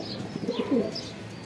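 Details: Domestic pigeons being paired indoors at home give a short burst of throaty cooing, two or three quick low notes gliding downward, followed by quieter background.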